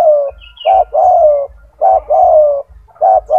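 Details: Spotted dove kept for its big, loud, frequent song, offered as a master for other doves: rapid low coos, short note then long gently descending note, repeated without pause, over faint low-frequency noise.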